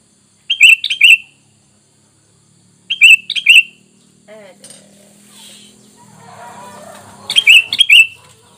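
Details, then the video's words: Lure sound of a sooty-headed bulbul meant to make wild birds respond at once: three short bursts of bubbly, gurgling whistled notes, two or three notes each, with a brief squeak and soft background rustling between them. "Dengan Surara ini kutilang bahan Langsung nyaut"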